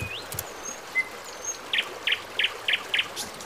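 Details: Birds singing in the morning at Dachhan: thin sliding whistles, then five crisp high notes in a quick, regular series, with a steady rushing, water-like hiss underneath.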